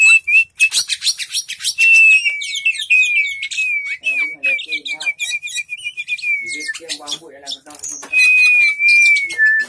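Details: An Oriental magpie-robin with its tail spread open sings a loud, varied song of clear sustained whistles, slurred falling notes and rapid scratchy phrases, delivered almost without pause.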